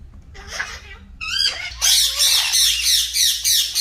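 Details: Green talking parrots give a couple of wavering squawks, then break into loud, continuous harsh screeching that fills the rest of the moment, over a low hum.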